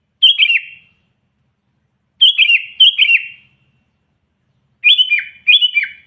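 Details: Sooty-headed bulbul in a natural recording used to call and provoke wild bulbuls: short bright warbled phrases with a dropping end, given singly or in quick pairs at about two-second gaps, in silence between.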